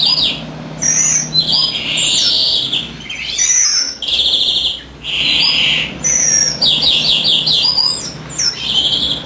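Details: Greenfinch in full voice while his mate incubates, delivering bursts of rapid twitters and rolling trills separated by brief pauses, with bright chirps and quick descending notes.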